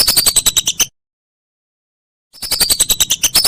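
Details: Whistling duck calling, a master recording for tutoring songbirds: rapid high chirps with a falling whistle, then about one and a half seconds of silence, then the chattering burst resumes.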